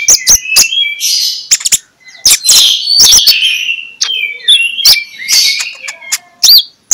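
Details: Magpie-robin singing in the morning, used as a lure to make other magpie-robins sing; loud, varied whistled phrases with sharp clicks and rapid trills, rising sweeps and buzzy notes, broken by short pauses.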